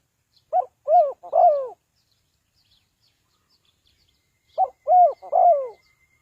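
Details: Spotted dove kept to lure birds into a trap, repeating a three-note cooing phrase twice: a brief opening note and two mellow, downward-sliding coos, with a pause between phrases and a faint high tone near the end.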